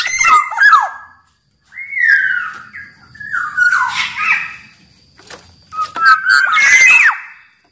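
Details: Black-naped oriole, Sumbawa big-bodied form, kept caged and singing eagerly as lure song: three separated bursts, each a clear falling whistle followed by harsh, scratchy, chattering notes, with short silences between.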